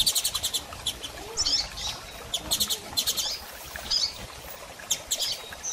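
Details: Female Double-collared seedeater calling, meant to stimulate a male to sing after moult; rapid bursts of high, thin chirps, quick stuttering series alternating with short rising notes, repeating through the clip over faint background hiss.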